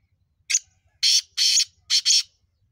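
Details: Mountain black francolin (kala teetar) giving a harsh phrase: one short, sharp lead note, then two longer rasping notes in quick succession, followed by a tight pair of grating notes; faint low rumble in the background.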